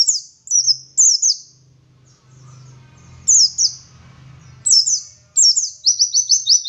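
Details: Oriental white-eye of local West Javan stock singing bursts of high, thin falling whistles, with a pause in the middle filled by a low humming background, then a final rapid run.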